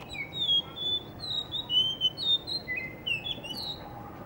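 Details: Blue whistling thrush singing in Hunza, perched in front of a guesthouse under construction near a cafe: a run of clear, high whistled notes, some sliding down and some rising, delivered in quick bursts about every half second.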